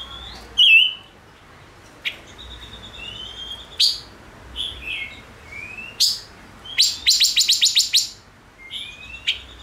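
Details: Gouldian finch male, stimulated into song, mixes one loud slurred whistle, thin drawn-out whistles and scattered clicks, then a fast rattling burst of about eight sharp, high ticks before trailing off into softer notes.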